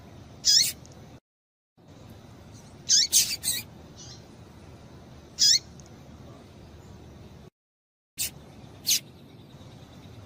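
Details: Female double-collared seedeater calling to get males singing: sparse high chirps with downward tails, a quick triple near three seconds, single notes elsewhere, broken by brief silent gaps.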